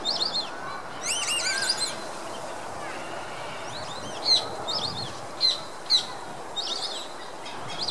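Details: Flock of white-faced whistling ducks (Dendrocygna viduata) on a lake in Curitiba, Brazil, gives clear, high, wavering whistles in quick three-note bursts, then sharper single whistles, over a steady outdoor hiss.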